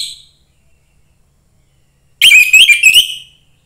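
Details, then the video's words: A young forest orange-headed thrush sings one energetic phrase of rapid, warbled upslurred whistles with a few twisting notes, after the tail of an earlier phrase and a silent pause. Sung to stimulate other thrushes. "suara anis merah MUDA HUTAN meningkatkan felling anis merah lain"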